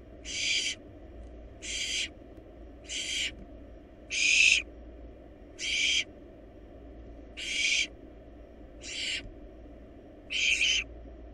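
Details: Nest-box recording of wild barn owl nestlings devouring a large rabbit, with a run of eight short, harsh hissing screeches at irregular gaps of one to one and a half seconds.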